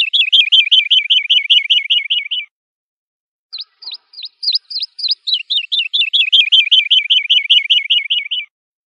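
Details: Lark song played for young birds to learn: two long runs of rapid rolling notes. Between them comes a string of sharp, clipped high notes, all clear against silence.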